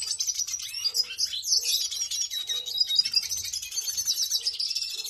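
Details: Excited, fired-up Red siskins (Venezuelan siskins) keep up a busy, high twittering of thin chirps and buzzy trills, overlapping with no pause.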